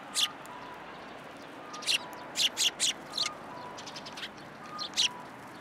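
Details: Sparrows come to a pillar at a Tenmangu shrine on 7 January 2023 to get food, giving sharp, high chirps in irregular runs, a few in rapid triplets. A falling two-note tone repeats quietly behind them.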